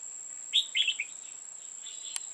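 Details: Red-whiskered bulbul recorded during trapping on 5 October 2018, with female birds involved. A short burst of bright, warbled chirping notes comes quickly in succession, over a steady high-pitched whine and a single sharp click near the end.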